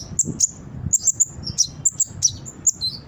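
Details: Brown-throated sunbird lure song for training birds: shrill, high chip notes at irregular intervals, about one and a half per second, with a thin descending twitter near the end.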